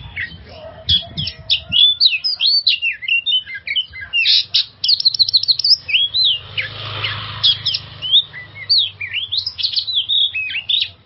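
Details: Oriental magpie-robin song meant to prompt stressed birds to sing: fast mix of chips, buzzy notes and swooping whistles, a noisy hiss in the middle, then whistled phrases again.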